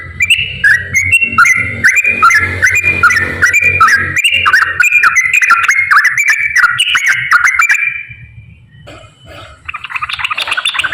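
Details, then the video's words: Long straw-headed bulbul song in the 'gacor ropel' style, meant to lure lazy bulbuls: about eight seconds of loud, fast, rolling, liquid warbling with varied repeated phrases, then a pause and a final short burst. "KICAU TRUCUKAN GACOR ROPEL SANGAT AMPUH UNTUK PANCINGAN TRUCUK MALAS BUNYI"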